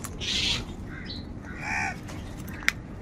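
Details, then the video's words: Crows fighting for food give two harsh, raspy caws about a second apart, the first higher and grating, the second lower and hoarser, over a steady low background hum with a sharp click near the end. "Kaka sound and noises of Crow birds | কাকের ডাক Crow Sound Crow ki Awaz"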